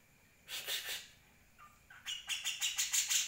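Grey-cheeked Bulbul giving a harsh, scratchy chatter: a rasping burst, two soft lower notes, then a quick run of grating notes about three per second.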